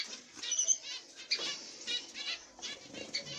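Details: Masked black-cheeked zebra finches, a pair with chicks in the nest; soft, fast, high scratchy chatter in uneven bursts, with occasional brief thin squeaks.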